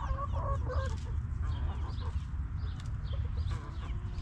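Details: Backyard hens resting in their coop, giving a quick run of short, low, throaty clucks in the first second. Quieter scattered clucks follow over a steady low rumble, with faint high chirps in the background.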